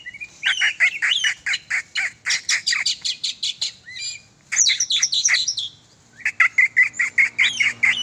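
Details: Oriental magpie-robin (kacer), a sport bird being exercised, sings loud rapid runs of sharp repeated notes, several per second, in bursts separated by brief pauses, with occasional rising whistled slurs.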